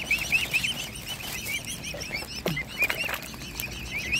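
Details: Mute swan cygnets being fed by hand peep constantly in short, high, slurred whistles, several overlapping, with soft splashes and a thump midway.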